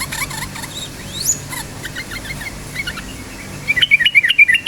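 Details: Actively singing yellow-vented bulbul used to provoke other bulbuls to sing: varied short warbled phrases, then a louder burst of quick rising and falling whistled notes at the end.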